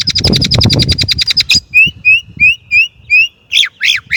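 A Chinese blackbird opens with a fast, high ticking trill, then gives clear rising whistles about twice a second and ends on sharp swooping notes. A low rumble sits under the opening.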